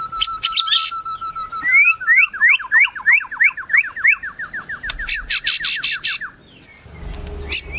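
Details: Melodious song of a white-rumped shama: a level whistle followed by a fast series of rising slurred notes over a trill, then a burst of harsh repeated chacks.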